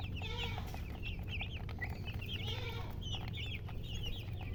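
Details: Chickens give a stream of high, wavering chirps in clustered runs, backed by constant low-pitched noise throughout.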